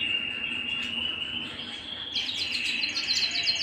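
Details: Canary singing at home: a long level whistled trill that steps higher, then breaks into rapid repeated chirps layered over the rolling tone.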